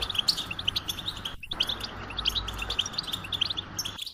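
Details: Singing goldfinch delivers fast, sparkling chirps and short trills in an unbroken flow, with a brief cut near the middle and a low background hum.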